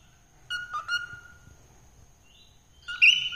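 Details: Cockatiel singing: a few short, clear whistled notes with stuttering chirps, a pause, then a louder, rising, squeaky warble.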